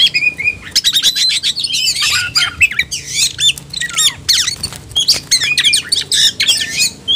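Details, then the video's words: Oriental magpie-robin singing aggressively in ngobra fighting style after provocation: a steady stream of harsh buzzy notes, rapid chips and sweeping falling whistles, heavily mimicked-sounding and almost continuous. "membakar emosi kacer, kacer gacor tarung ngobra"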